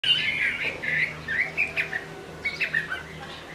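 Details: Chinese hwamei singing in the rain: a short run of clear whistled phrases, some slurred and rising, others short and sharp, with a faint low hum underneath.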